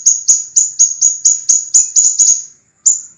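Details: Master recording of a scarlet minivet for teaching cage birds: sharp, bright, high-pitched whistled notes, each falling slightly, repeated quickly in an even train before a short gap and one more note.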